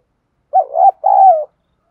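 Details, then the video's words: Single low, mellow two-part coo from a spotted dove calling in the 'thúc' challenge style used to provoke wild birds: a wobbling first note, a brief gap, then a longer steady note sinking at the end. "Tiếng chim cu gáy Thúc đấu gáy kích bổi cực nhạy"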